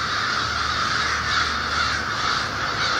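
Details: American and Fish Crows, over 1500 strong, calling loudly in an overnight communal roost over the Merrimack River, Massachusetts, before dawn in winter. Continuous throng of hoarse overlapping caws, dense and even in loudness.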